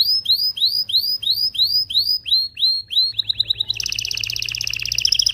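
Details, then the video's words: Canary in full song, used to stimulate pairs for breeding: clear upward-arching whistled notes repeated about twice a second, then a quick run of short notes and a dense rattling trill to the end. "تغريد طائر الكناري هائج , لتجهيز الاناث و الذكور للتزاوج والغناء"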